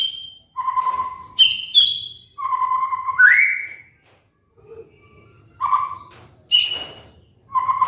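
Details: White-rumped shama song used as a lure and master recording for moulting cage birds: clear low whistled notes alternate with sharp upward-sweeping, ringing phrases, separated by short pauses.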